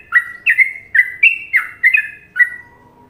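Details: Sooty-headed bulbul from Indonesia singing a popular trucukan-style song: bright whistled notes, each with a quick downward slide, given in short pairs about every half second, seven phrases in quick succession, quiet background.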